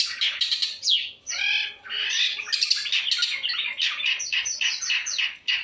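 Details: Lively long-tailed shrike song of many kinds of notes, recorded on a phone: harsh squawky bursts mix with quick whistled sweeps and buzzy rattles in an almost unbroken stream.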